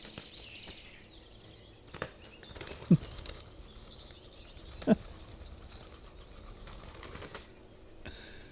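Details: Pigeons fighting in the trees in England on a sunny 15 April 2020, giving a few sharp bursts of wing claps and flapping, a couple of seconds apart, over a quiet outdoor background.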